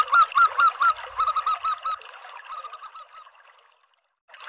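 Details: Local zebra dove call used as a lure: loud hooked coos at first, then a softer, fading run of notes that drops away to near silence.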